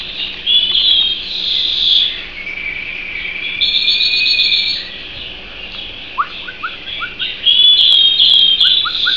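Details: Pet canary in full song: bright high warbling phrases, a long steady rattling trill in the middle, then a short series of quick rising chirps before a final burst of rapid high trills.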